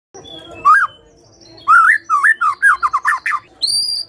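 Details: White-rumped shama song used as a lure to make other birds sing: separate loud whistled notes curling upward, then a quick series of looping whistles, ending with a high, steady, ringing tone.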